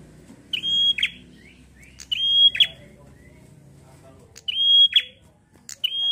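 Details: Bar-winged prinia gacor ngalun fighter song for stimulating prinias: whistle-and-buzz phrases repeated roughly every one and a half seconds, each starting with a click, steady high tone then rasping drop.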